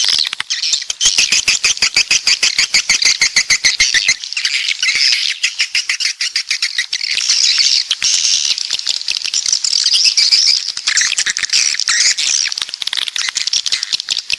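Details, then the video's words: Swiftlets of a coastal type from the south keep up a long, dense chatter: rapid ticking clicks run throughout beneath overlapping high, buzzy chirps and squeaks, with the calls uneven in timing. "Suara Walet Pantai Dari Selatan"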